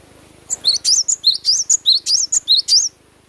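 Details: Natural-sound recording of a cinereous tit in full song: a burst of bright, high whistled notes in paired high-low rising phrases, roughly a dozen notes delivered briskly over two and a half seconds.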